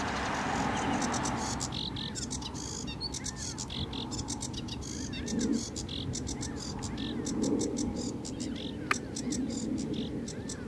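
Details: Sedge warbler song: rapid, dense bursts of dry, clicking and chattering high notes in uneven runs, with scattered lower whistled slurs and a steady low background hum.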